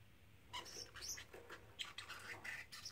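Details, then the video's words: Three-month-old pet parrotlet, male, repeating phrases like "Do You Want to Come Out"; brief squawky, nasal syllables with whistled tones strung together over about two seconds, against a low background hum. "Talking Parrotlet"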